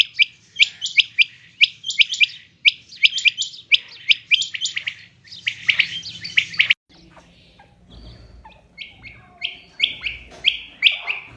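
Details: Calling quail: quick sharp chirps repeated roughly once a second in uneven bursts, with a short quieter gap before the notes resume.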